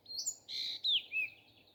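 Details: Morning song of a nightingale: one short phrase of a high whistle, a buzzy chord-like note, then a sharp falling whistle ending in a lower slurred note.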